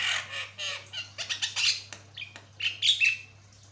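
A Javan myna sings a fast run of harsh, rasping squawks and chatters, ending in a few clear, steady whistles, over a faint low hum.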